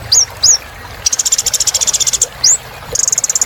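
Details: Little spiderhunter (kolibri ninja) in full voice for therapy of non-singing birds: two upslurred whistles, a long rattling buzzy trill of about twenty pulses, one more whistle, then another trill.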